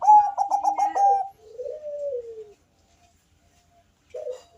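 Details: Thick, bass-toned coo of a Bangkok-type zebra dove, used to coax other doves to call: a quick stuttering burst, then a smooth, slowly falling coo, silence, and a short soft note.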